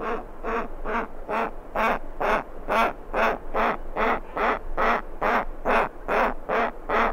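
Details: Close recording of a giant petrel chick begging for food, skuas and terns nearby: a steady series of about fourteen rasping, nasal calls, roughly two per second, evenly spaced and fairly uniform in loudness.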